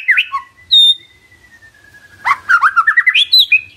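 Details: White-rumped shama song played as a lure so a silent bird answers: a few sharp whistles, a long thin steady note, then a rapid rising cascade of varied chirps and whistled notes.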